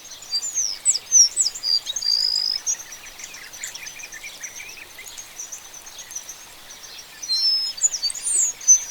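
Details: African Oriole Finch (Linurgus olivaceus) song: high, thin twittering phrases with quick slurred notes, loudest at the start and end, over a faint background hiss.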